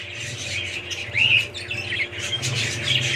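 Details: Budgerigar chirps, including one louder, clear warbled note near the middle, set against softer twittering and a noticeable low droning hum throughout.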